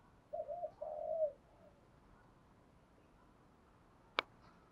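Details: A single brief series of low spotted dove coos in 'thúc gù' style, ending in a longer note, followed by quiet hiss and one sharp click near the end.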